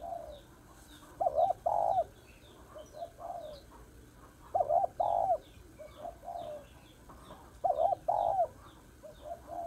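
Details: Female spotted dove calling to stimulate males, repeating a mellow two-part coo three times at intervals of about three seconds, softer coos between phrases and faint high chirps of small birds behind.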